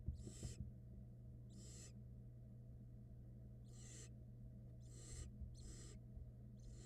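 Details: Nestling barn owls in a Florida nest box, filmed by camera while being fed and swallowing a rat, 2022 brood; six noisy, screechy hissing bursts, some close together, over a constant low drone.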